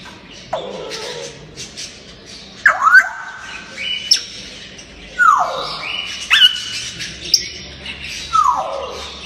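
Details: Playful talking grey parrot: a series of loud, falling whistled swoops, each sliding down steeply, roughly every one to two seconds, with faint chatter between.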